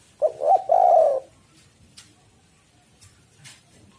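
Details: A spotted dove delivers one low, burred coo phrase, two short notes then a longer rolling coo, used as a lure for birds, followed by quiet clicks.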